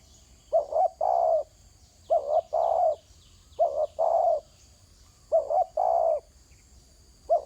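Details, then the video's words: Spotted dove calling from the ground: a loud hoarse coo phrase, two quick rising notes then a longer drawn-out note, repeated roughly every one and a half seconds, with a faint steady insect hum in the background. "Terkukur kg bunyi atas tanah"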